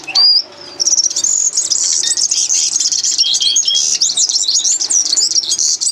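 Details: Common linnet in song: a sharp opening note, a short pause, then an unbroken run of rapid, warbling twitters and high trills.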